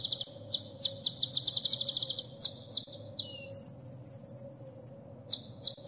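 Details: Sunbird song for coaching caged birds: a rattling series of very high, clipped notes, a thin whistle, then a sustained, fast buzzy trill lasting over a second, ending with spaced high chips over a soft hum.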